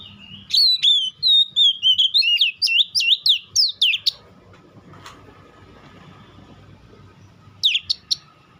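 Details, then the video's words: Oriental magpie-robin (kacer) song: a fast series of loud, clear whistled notes with sharp upward and downward slurs, about three per second for four seconds, then quiet with faint background noise, then a short burst of whistles near the end. "Dengar kicauan Kacer satu ini"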